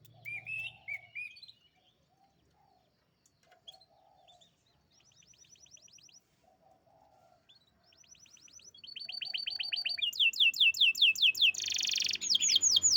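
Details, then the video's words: Champion canary singing: high, rapid trills of repeated notes, starting softly with scattered chirps and short buzzy rolls, then growing loud with fast, dense rattling trills toward the end; soft low cooing notes underneath early on. "Burung Canary Juara Top"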